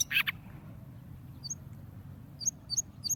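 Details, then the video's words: Tamed wild warbler singing in a cage: thin, high chirps, one burst at the start, then quick paired notes repeating about every quarter second near the end, over low background hum. "warble bird tamed in cage and singing very nice"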